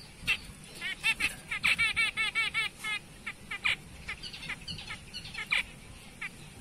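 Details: Zebra finches, Light Back and BB birds, give short, nasal, toy-trumpet beeps in quick irregular bursts; Zebra finch (Taeniopygia guttata) call.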